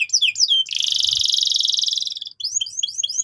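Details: Canary in full, continuous song for training young birds. Rising slurred chirps lead into a dense, buzzy rolled trill for over a second, then a series of quick upward-flicked whistles.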